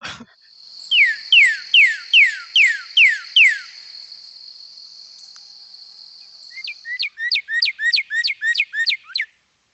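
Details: Northern Cardinal giving its common "laser beam" call, likened to "birdie birdie birdie": seven loud, steeply falling whistles about one every half second, then a faster run of about nine, over a thin steady high whine.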